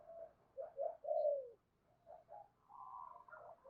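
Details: Lure recording of spotted dove calls to attract doves. A cooing phrase builds to a drawn-out falling coo. Softer coos follow, over steady background hiss.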